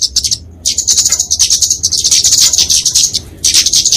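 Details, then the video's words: Kemade flowerpecker fighting song used to train and lure songbirds: a short chirp, a pause, then a long, steady run of high, rapid, squeaky chatter before a final burst. "Kicauan Kemade Tarung Untuk Masteran&Pikatan Burung Kecil"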